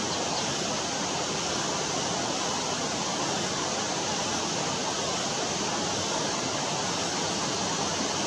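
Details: Steady broadband rush of falling water fills the whole recording, with no other sounds.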